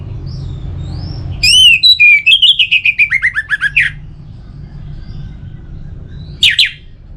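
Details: Caged orange-headed thrush from Bali, played to get birds singing; a long, rapid descending run of about a dozen slurred notes, then one sharp chirp after a pause.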